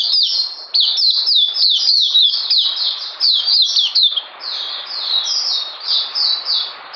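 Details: Caged oriental white-eye singing: a fast continuous string of high, thin, downslurred whistled notes, about four a second, over a steady background hiss.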